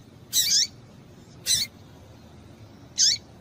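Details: Female double-collared seedeater calling to excite males: three brief, very high chirps, each ending in a downward-sweeping tail, spaced a little over a second apart against a quiet background.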